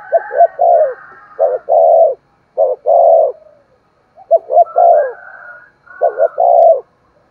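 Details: Spotted dove cooing, used to stimulate other doves to coo and call: loud low coos in four phrased bursts, each a short note followed by longer throbbing coos, with brief pauses between.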